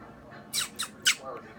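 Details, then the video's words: A 9-year-old pet Pacific parrotlet making cuddly noises while accepting beak pets in March 2018: three short, scratchy squawks about a quarter-second apart, with quiet speech in the background of a small room. "the parrotlet makes cuddly noises"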